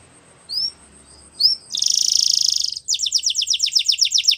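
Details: Canary training song: two short rising whistles, then a dense buzzy trill for about a second, followed by a fast run of repeated downward-sweeping high notes.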